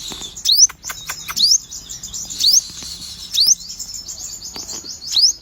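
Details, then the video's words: Sogon bird repeating a single sharp, high, rising upslurred whistle about once a second, five times, over a faint continuous high buzzing trill. "burung sogon warna unik dan gacor"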